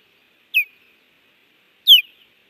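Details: Osprey on a Hellgate, Montana nest cam, 30 June 2019, reacting to an intruder landing and another flying past. Two loud, clean whistled yelps that drop in pitch, spaced about a second and a half apart.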